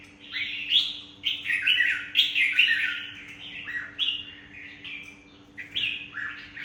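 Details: Red-whiskered Bulbul from Vietnam, a wild-caught adult in a cage, delivers a series of rich, bubbly warbled phrases, some sliding downward, separated by short pauses over a faint constant low hum.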